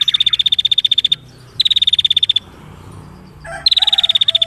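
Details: Female prinia singing actively in a dense, rapid style: three fast, dry, evenly pulsed high trills, each about a second long, separated by short pauses, over faint low background hum.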